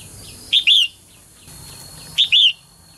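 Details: Female bird singing to prompt males to sing vigorously. Two quick calls about a second and a half apart, each a clipped high note followed by a drawn-out, wavering whistled slur, over a low background murmur.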